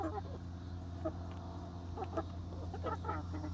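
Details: Young egg-laying hens on their first day in a new outdoor backyard run give short clucks and soft calls scattered across the moment, over a steady low hum.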